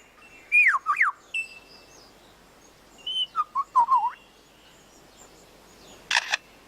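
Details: A male lyrebird in forest, trying to out-sing rivals, delivers a medley of mimicked sounds: swooping whistles, a steady electronic tone, chattering notes, and a sharp mechanical burst of a camera shutter.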